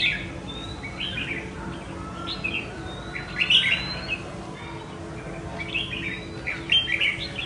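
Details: Red-whiskered bulbul that escaped and flew back home to fight a decoy bird; short bright chirps and clipped calls come in scattered bursts, several clustered near the middle, over a steady low hum with people exclaiming nearby.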